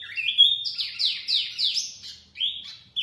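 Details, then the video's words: Wambi mini lure call: a rising whistle opens into a series of ringing downslurred notes, then a brief pause and a couple of separate high whistled notes. "Kicauan Wambi Mini Pikat Gacor"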